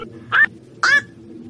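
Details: A black-crowned night heron calling at night, a bird of rivers, reservoirs and ponds: two harsh, croaking quok calls about half a second apart, each with a slight upward inflection, over a faint low hum.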